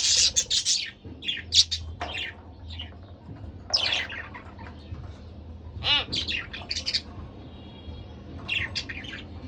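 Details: Two pet budgerigars, a couple, chattering loudly in dense bursts of harsh chirps and squawks, one ringing harmonic call midway, then quieter scratchy notes, with a low hum underneath.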